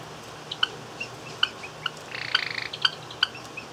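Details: Pet Java sparrows, 28 July 2017, meeting through a cage's wire: one chirps reacting to a hand, the other chirps reacting to it; sharp, metallic chip notes at an uneven pace, broken by a brief buzzy rattle, over room hiss.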